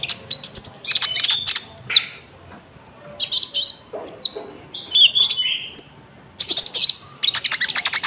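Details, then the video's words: Loud, varied song of a common iora (konin), offered as trapping and training material with cricket sounds mixed in: sweeping whistles and sharp high notes in separate phrases with short pauses between them. "PANCINGAN GACOR BURUNG KONIN ISIAN JANGKRIK , AMPUH BUAT PIKAT & MASTERAN"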